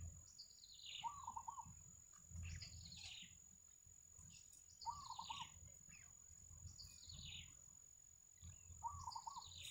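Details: Wild yellow bittern family with chicks at the nest, calling in a regular cycle about every two seconds: a quavering mid-pitched chatter followed by a high squeak sliding downward, with a steady high whine throughout.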